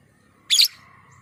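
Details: Lovebird luring call, used to prompt other lovebirds to call: one loud, shrill, harsh chirp lasting about a fifth of a second, then quiet.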